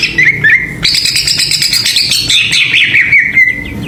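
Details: Greater green leafbird song played as a lure to rile other birds: short warbled notes, then a long bright rapid chattering stretch with wavering whistles sliding down, over a faint low hum.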